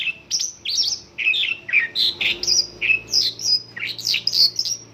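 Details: Mongolian lark song in the 'isian lokalan' style, stuffed with local bird phrases: a steady run of high chirps and quick slurred whistles, about three notes per second, varied in pitch and strongly rhythmic.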